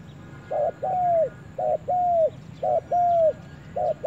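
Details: Spotted dove in a forest on its first visit there, repeating a paired coo roughly once a second: a short burry note followed by a longer smooth, arching coo. The pattern comes four times over a soft low hum.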